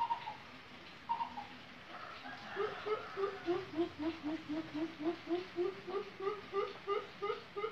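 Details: Coucal (Lombok coucal, described as singing vigorously with a unique voice) gives a fast run of deep, hollow hoots, about three or four a second, after a few higher opening notes.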